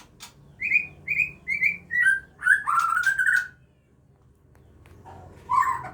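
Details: Captive-bred Aceh White-rumped Shama as a parent feeds its young; four evenly spaced short whistled notes, then a quavering, buzzy warble, a pause, and one more soft whistled phrase near the end.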